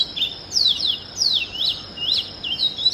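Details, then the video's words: Loud, clear early-morning song of an Oriental magpie-robin: a rapid series of sharp downward-slurred whistles and rising notes, about three per second, above a faint steady high-pitched hum and soft hiss. "Music of the Oriental Magpie Robin Copsychus saularis - sighting and call"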